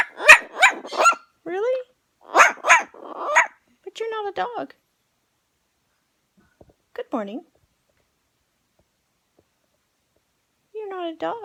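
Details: A 68-year-old rescued parrot imitating a dog gives a quick run of sharp barks, then curving harmonic squawks and warbles, followed by long quiet gaps and a final rising harmonic call near the end.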